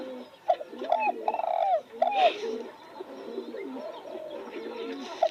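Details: Spotted dove cooing amid newly bloomed roses: a quick hooted note, a long level coo, then another short hoot, followed by softer overlapping coos from further doves in the background.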